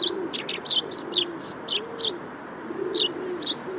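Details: Eurasian tree sparrow giving bright, buzzy chirps in a quick run, then a pause and a few more; soft low dove cooing underneath.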